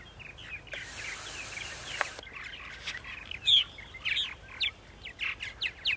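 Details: Purple martins at their sites in Center Moriches, Long Island, New York, on a spring morning; scattered chirps and croaking notes grow louder toward the end, after a short hiss of noise.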